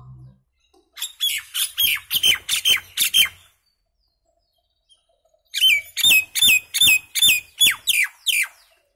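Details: Common myna singing: two bursts of harsh, rasping downslurred notes, about nine to ten each, delivered rapidly and separated by a silent pause of roughly two seconds.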